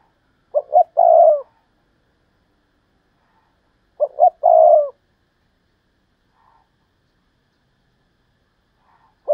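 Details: Decoy spotted dove repeating its three-note coo twice, roughly three and a half seconds apart, each phrase two quick hoots and a longer coo, with faint distant calls between.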